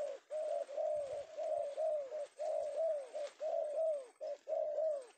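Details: A male tekukur, the spotted dove, caught in Indonesia this afternoon, repeats soft hooting coos in steady groups, roughly one per second, in a quiet setting.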